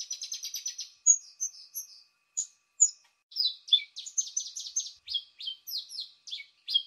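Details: Lure recording of a paddyfield pipit: opens with a rapid buzzy trill, then a run of short high chirps and downslurred notes, some clustered in quick bursts, over a silent background.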